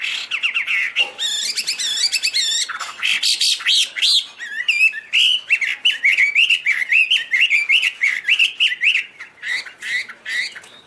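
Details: Chinese hwamei pouring out a long, varied song of trills, whistles and warbled notes that shift in pitch and speed, dense and continuous.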